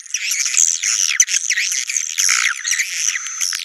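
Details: Lure call of swiftlets, called Naga Merah, for bringing swiftlets to nests: an unbroken stream of high squeaky, buzzy twitters with swooping rising and falling notes.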